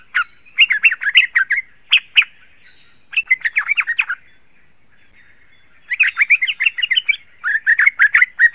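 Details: Sharp-voiced yellow-vented bulbul song used to lure wild bulbuls and prompt kept ones to answer: bursts of fast tumbling, bubbly notes broken by a quiet gap midway.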